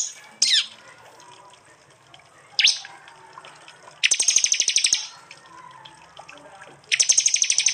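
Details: Prinia from East Java, recorded with an Android phone for songbird training: two single sharp down-slurred chirps, then two long bursts of very fast, buzzy high trilling.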